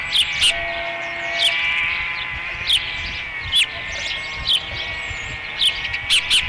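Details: Ospreys during a feeding at their nest at Dunrovin Ranch, 30 May 2016, give sharp rising chirps in quick pairs and singles, roughly every second, above constant electrical hum.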